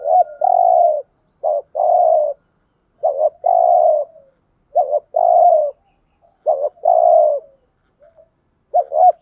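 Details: Spotted dove decoy giving rhythmic 'gù thúc' coos to lure other doves; six phrases, each a double clipped note then a prolonged low mellow coo, repeating roughly every one and a half seconds.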